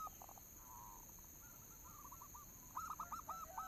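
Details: Local zebra dove lure song: faint, distant coos and a soft purr early on, then louder clipped coo notes in a quick uneven series near the end. Steady background hiss throughout.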